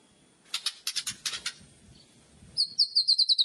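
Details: White-rumped shama kretekan, a loud song for provoking other shamas: several short harsh crackling bursts, a pause, then a very high, rapid chain of sharp ticking notes.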